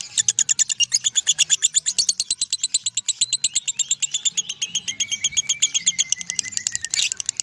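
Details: Lovebird ngekek, an extended unbroken singing bout: rapid rolling chatter of shrill high notes, a gently falling whistle running beneath the later part, ending in a sudden sharp squeal.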